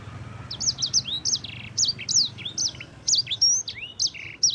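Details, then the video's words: Yellow-fronted canary, sanger type, singing vigorously for use as training song: spaced bursts of high sliding whistles, long rising slurs and two short buzzy rattles, phrases about a second apart, faint low hum behind. "Suara burung sanger gacor"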